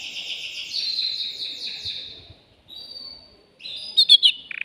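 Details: Excited male canary in a cage, singing to stimulate a female for mating: a long buzzy rolling trill fades out, then comes a short pause and a thin whistled note, then sharp chips and a fast rattling burst at the end.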